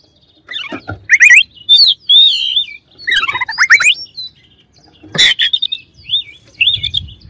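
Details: Oriental magpie-robin, singing to agitate rival birds: quick ascending chirp series, rapid clicks, and curling high whistles, with a loud sharp crack midway and soft low noise toward the end.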